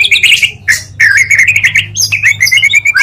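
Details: Magpie-robin song combining two singing birds, used as a lure to provoke other magpie-robins: rapid rich phrases of whistled trills and chattering notes, with a steady low hum underneath.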